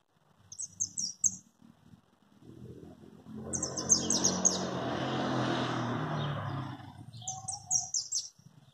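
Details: Nestling European goldfinch, recorded in 2020: high, thin chirps in quick bursts of four or five notes near the start, mid-clip and end, with a broad rumbling noise covering the middle section.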